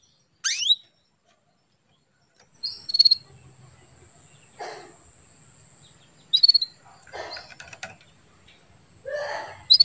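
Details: Female canary calls meant to bring a male into breeding condition so he sings eagerly: one steeply rising chirp, then bursts of short high notes every few seconds, mixed with scraping clicks and a faint steady whine.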